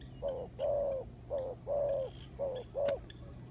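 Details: Spotted dove used as a lure for trapping, cooing in a regular pattern of short and longer mellow low notes, about six in quick succession, over a faint steady hum.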